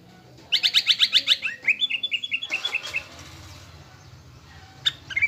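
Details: Greater green leafbird lure song meant to rouse a caged bird into a fighting mood: a fast run of sharp, high chirps, then a series of lower whistled slurred notes, ending in a few scattered chirps.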